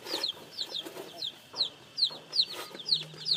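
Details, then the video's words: Newly hatched chicks: clear, high peeps that drop in pitch, about two or three per second, over soft background rustling and a faint low hum at the end. "Âm thanh gà con mới nở kêu, gà kêu, gà gáy"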